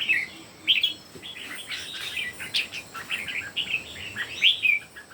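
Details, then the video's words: Three competing red-whiskered bulbuls produce scattered whistled notes and chirpy warbles, some louder sweeping phrases standing out over softer overlapping calls. "3 CHÚ CHIM CHÀO MÀO CỦA A TỦA HÓT ĐẤU QUÁ ĐẲNG CẤP."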